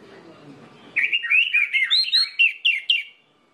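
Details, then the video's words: Orange-headed thrush lure song for stimulating rival orange-headed thrushes to sing: a dense, tumbling string of sweet whistled and warbled notes, about a dozen in two seconds, fading out cleanly. "PANCINGAN ANIS MERAH INI BIKIN GACOR ANIS MERAH LAIN"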